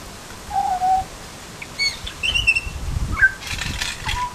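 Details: Butcherbird giving scattered fluted whistles: a level low whistle, then higher slurred notes and a falling phrase, with a burst of rustling noise toward the end.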